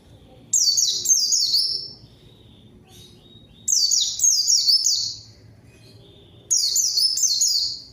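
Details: White-eye lure song intended to call a rival and make quiet birds sing: three bursts of rapid, high, descending twitters about every three seconds, with near silence between them.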